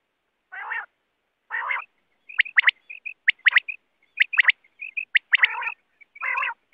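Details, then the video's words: Wild quail call used for net hunting: low buzzy rasping bursts alternate with sharp paired notes and soft short whistled pips, repeated roughly once a second against a silent background. "Quail sound 2024|Quail shikar ki awaz"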